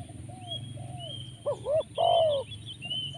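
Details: Tekukur (spotted dove) in the 'poin penguasa makam' luring style, heavy with rolled 'rrr': one clear phrase of two short coos and a long falling note, with softer coos and high whistling birds in the background and a low hum.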